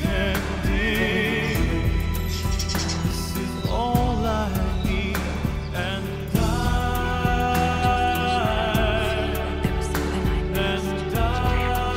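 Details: Full-bodied music with singing voices and steady low accompaniment throughout, with no animal calls to be heard.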